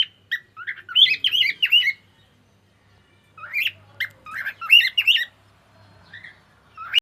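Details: Singing pet cockatiel delivers fast runs of chirpy, warbled whistles in two bursts of about a second each, separated by a short pause. A low hum sits in the background.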